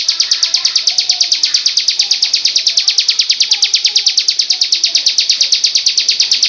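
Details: Crystal-type ciblek, or bar-winged prinia, delivering a rapid, regular series of piercing high notes, evenly spaced and unbroken for the whole stretch, over a quiet backdrop with faint low twitters.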